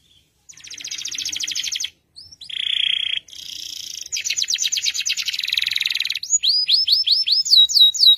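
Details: Canary master song, long and unbroken: a high buzzy trill, a lower rolling note, then fast pulsed rattles changing into a run of rising whistled sweeps repeated in quick succession.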